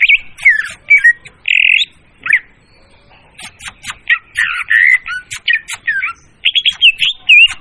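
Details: Clear, loud leafbird lure song used to trap birds: varied slurred whistles and a buzzy note, a short lull, then a long, rich medley of chips, trills and looping whistles.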